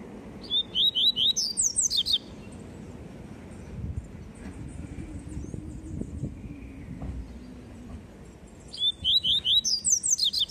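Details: Double-collared seedeater in tui tui song, delivering two fast bursts of rapid, high twittering whistles roughly eight seconds apart, separated by a stretch of low rumbling background noise.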